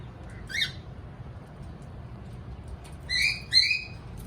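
Three short, raspy chirps from a cockatiel: one early, then a quick pair about half a second apart, over a low steady hum.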